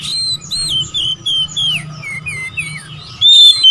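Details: Oriental magpie-robin singing to provoke rivals. A moderately soft series of rising and falling whistled notes, each short and sweet, ends in a louder sustained whistle. A faint steady tone lies underneath.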